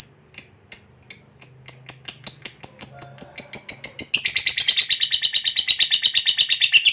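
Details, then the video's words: Lovebird ngekek trill used to prompt other lovebirds to sing: separate sharp high chirps that speed up steadily until they merge into a dense, rapid, buzzy chattering rattle carried on to the end. "SUARA BURUNG LOVEBIRD NGEKEK PANJANG TERAMPUH BUAT PANCINGAN LOVEBIRD AGAR CEPAT NGEKEK GACOR"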